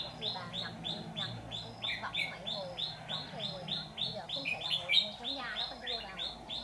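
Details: Red-whiskered bulbul of the white-cheeked form, heard during trapping, where a wild bird shifted branches three or four times before coming in; bright chirped notes repeat rapidly, about three per second, with faint speech underneath.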